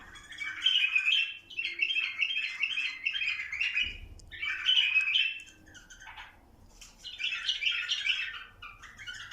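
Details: Bulbul song used to stimulate mating: rapid chattering, slightly squawky warbled runs lasting one to two seconds, repeated after brief gaps. Later phrases sound higher and thinner, and a faint low thump is heard near the middle.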